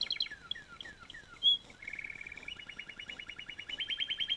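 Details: Singing canary gives a series of falling slurred whistles and one sharp high note, then a buzzy low trill that shifts into a quickening repeated trill, rising and growing louder at the end.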